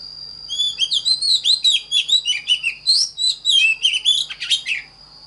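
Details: An Oriental magpie-robin pours out a dense, fast sequence of sweet whistles, slurs and short chattering notes for about four seconds, over a steady high-pitched whine and faint low hum.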